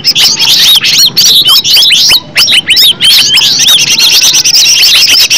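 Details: Green leafbird (cucak ijo) lure song: vigorous run of high arched whistles and harsher chattering notes early, settling into a steady dense twitter toward the end.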